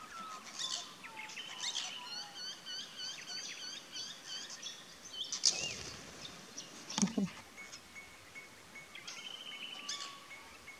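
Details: Apostlebirds, a social flock drinking at a small creek in the Australian bush, chatter with rapid, overlapping high chirps and rasping notes, with a few longer, thinner whistles mixed in, over a low outdoor rustle.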